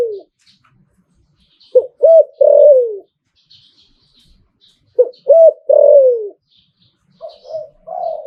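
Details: Caged spotted dove singing in the Thai liu-tan manner: two identical phrases about three seconds apart, each a short sharp note, an arched note and a long coo falling at the end, then softer notes trailing off.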